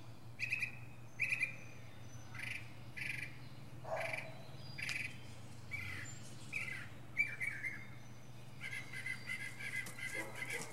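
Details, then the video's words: From a pine treetop, a northern mockingbird runs through varied phrases, repeated chirps, lower slurred notes and a rapid high trill near the end, with a constant low background hum. "Northern Mockingbird goes thru his greatest hits!"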